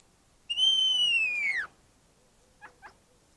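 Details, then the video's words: Common starling singing in a garden in December: one long, clear whistle sliding slowly downward for about a second, then two short, dry clicky notes. "Etourneau chantant"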